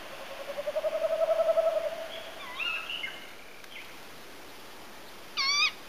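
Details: Tawny owl (Strix aluco) call: a low, quavering hoot trembling for about two seconds, then a few higher wavering notes and a short, harsh, rising call at the end.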